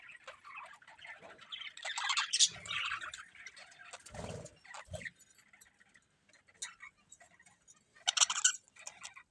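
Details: Several budgerigars chirping in short bursts of scratchy, warbling chatter, with quiet pauses between outbursts and a couple of soft low thumps midway.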